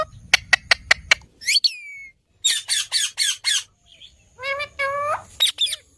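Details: Indian ringneck parakeets calling to each other: sharp clicking ticks, then short harsh squawks in quick bursts and a few descending screeches, with brief gaps between.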